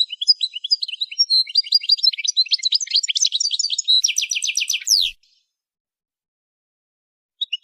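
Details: Song-training recording of a goldfinch: a fast, continuous twitter of bright chirps and trills for about five seconds, ending in a rapid buzzy run, then silence and a couple of closing notes.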